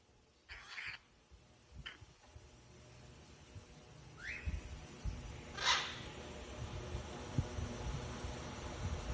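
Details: An African grey parrot gives a few scattered sounds: short raspy squawks and one quick rising whistle, spaced a couple of seconds apart, over a low indoor hum.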